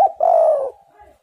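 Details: Spotted dove singing in a lure recording meant to get other doves cooing: one long, steady, low cooing note, held for about half a second and then fading, with a brief short note before it.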